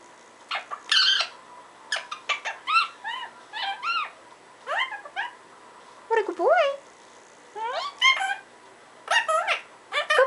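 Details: Pet parrot chattering gibberish, mimicking speech with quick bursts of bent, wavering syllables and squeaky chirps, repeated in uneven clusters and separated by short silences, indoors.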